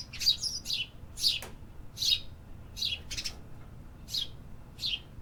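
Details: Urban birds singing close by: rapid bright high chirps, some overlapping or doubled, about one every half second, with little background noise.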